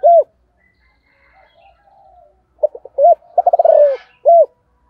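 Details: Morning coos from a Spotted dove with a 'thổ' voice, calling to wild doves: one clear arched coo, a pause with distant bird chatter, then quick clipped notes, a fast descending trill and a final full coo.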